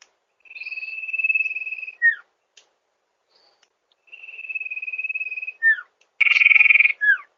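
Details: Sirtu lure recording from rice fields: two long, level, faintly pulsing high whistles, each ending in a quick falling slur. A louder, rougher, buzzier version of the whistle follows near the end.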